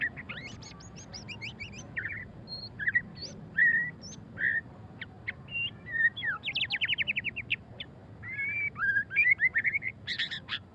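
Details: White-rumped shama, known locally as murai batu, singing in the ngeriwik style: a busy run of high sharp chirps, fast trills and slurred whistles, with a rapid stuttering series near the middle and end.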